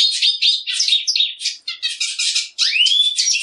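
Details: A Black siskin sings in rapid twittering phrases, buzzy chatters interrupted by brief gaps, ending with a long upward-sweeping whistle followed by more trilled notes.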